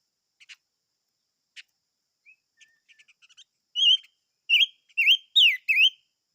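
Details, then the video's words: Chim ngũ sắc singing: a few soft, scattered chips, then four or five loud, clear whistled notes, each sliding up and down, given in a quick phrase near the end. "Chim Ngũ Sắc Hót - tiếng chim ngũ sắc hót"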